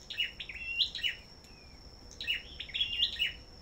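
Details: Red-whiskered bulbul at a bird farm, singing in competition style: two bursts of bright, quick warbled phrases, sweeping and twittering, separated by a short pause, over a steady thin high whine and faint background hiss.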